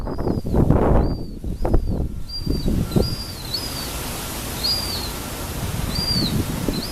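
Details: Young gull chicks looking for food, South Boston, 2013, give spaced, thin, high whistled peeps with a rise-and-fall shape, about one a second. Loud thumps and handling noise mark the opening seconds.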